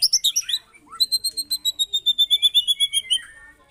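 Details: White-rumped shama in harsh lure song for provoking other birds: a few scratchy notes and a rising whistle, then a long, fast, evenly spaced series of thin high pips, about four per second.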